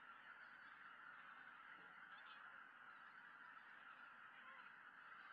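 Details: Greater white-fronted geese returning together in the evening to a lake in Tohoku in early December, watched by a Peregrine Falcon; a dense, steady chorus of overlapping honks blends into a continuous mid-pitched din.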